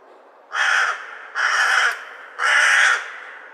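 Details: Three hoarse, harsh caws from a crow, each about half a second long, spaced roughly a second apart.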